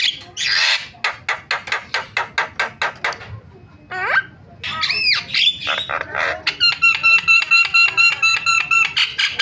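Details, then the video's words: Starling sound used to draw calls from other starlings: a rapid series of about a dozen harsh rasping notes, then swooping whistles and fast rattling, ringing chatter. "MASTERAN JALAK SUARANYA BIKIN JALAK PADA TERIAK"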